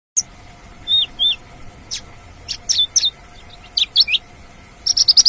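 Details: Wild Australasian bush lark singing in nature: scattered high, thin chirps and short slurred whistles, some bending downward, at irregular intervals, ending in a quick run of sharp notes; a faint steady hum underneath.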